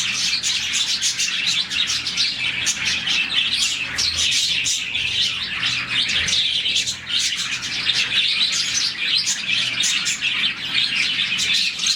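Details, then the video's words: Colony of roughly forty budgerigars chirping in the morning, a sound linked to happiness; sustained high, bubbly twittering from many birds, with brief louder peaks and a slight lull late on. "Lovebirds, budgies, parakeets morning chirping sound"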